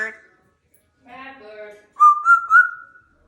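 An African grey parrot speaks a short, low, voice-like phrase, then gives a loud, clear whistle that rises and wavers over about a second, in a quiet room.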